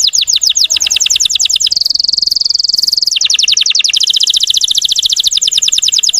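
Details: Russian canary song for provoking rival canaries: fast trills of sweeping notes repeated several per second, broken by a sustained high buzzy tone, then trilling again.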